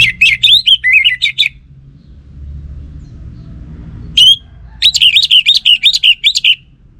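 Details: Orange-headed thrush from northern Bali sings two lively phrases of quick varied whistles and chirps, separated by a pause and a single loud whistle, over quiet low hum.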